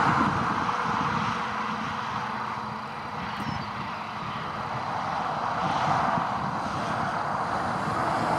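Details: Continuous droning aircraft engine noise over an outdoor background, with no animal call.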